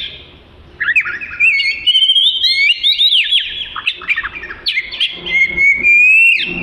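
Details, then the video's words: Black-and-white long-tailed Oriental magpie-robin singing energetically, a continuous stream of high slurred whistles, quick rising sweeps and scratchy chatters, ending on a long drawn-out upslurred whistle. "Burung Kacer Suara Gacor"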